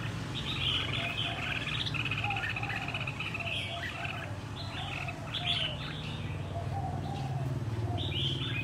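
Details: Red-whiskered bulbul caught wild and trained a year for singing contests: long bursts of fast, bright warbling with occasional sharp whistles, plus quieter lower chirps and a steady low hum throughout.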